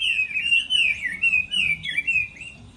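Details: Hwamei in competitive song during its moulting period, delivering a continuous flowing warble of clear, looping whistled notes that rise and fall in quick succession, loud and close.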